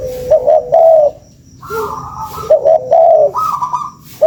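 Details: Spotted dove lure call: low mellow cooing phrases, a short double note followed by a longer throaty coo, with a higher sustained tone between, repeated about every two seconds indoors.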